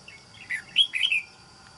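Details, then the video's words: Caged wild-caught red-whiskered bulbul used as a trap decoy, island-forest voice style: one loud, quick phrase of four or five slurred whistled notes, bouncing up and down, against a faint steady hum. "Bẫy Chào Mào. Mau Mỏ . Bung Xoè.Gốc Mào Cao Dày . Giọng Rừng Đảo Tốt"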